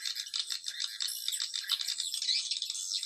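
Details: Dense, unbroken high-pitched swiftlet chatter from a Dara Nante lure call for attracting swiftlets, a buzzy rattling twitter throughout.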